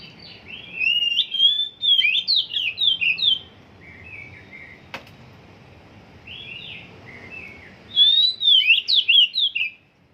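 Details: Oriental magpie-robin still at the stage of having its song trained; two bursts of loud, whistled, slurred phrases, rising and falling, with a quiet stretch of about four seconds between them and a single sharp click midway.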